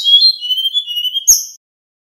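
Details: Male Little pied flycatcher singing in the sharp 'nyeklek' style, used as a lure to make other flycatchers respond. High thin whistled notes slide gently downward in a continuous phrase, ending in a sharp click and a brief higher note.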